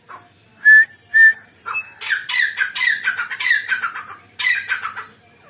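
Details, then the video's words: Female grey francolin (teetar), recorded 29 November 2022: two short clear whistled notes, then a run of harsh, buzzy, rapidly repeated notes over about three seconds, with a final burst of similar raspy calls. "Female Teetar Madi ki awaaz grey francolin ایرانی تیتر"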